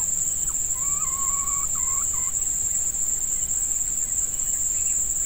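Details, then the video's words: Red junglefowl during a decoy session where a female lures wild males, in hot breeding-season weather: a faint, clear crow held level, then breaking into short wavering notes, over a steady high insect drone. "Ayam Hutan Pikat Betina"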